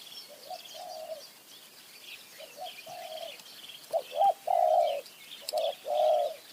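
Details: Wild spotted dove in high mountain forest, cooing from a tree toward a decoy bird set out to lure it. Mid-pitched, hollow coo phrases come in short groups of two or three notes and grow louder toward the end, with faint insect hiss behind.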